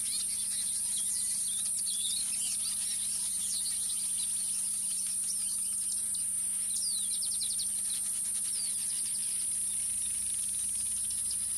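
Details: Speke's weavers (Ploceus spekei) at Ol Pejeta, East Africa, weaving nests in a colony, give a faint, busy chatter of quick, high chirps and sharp downslurred notes over a steady high insect drone and a low hum.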